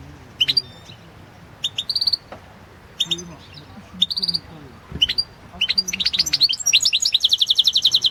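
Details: European goldfinch singing in a 2016 world song championship recording: short twittered phrases every second or so, building into a fast, rolling series of high tinkling notes near the end, with a soft low background murmur.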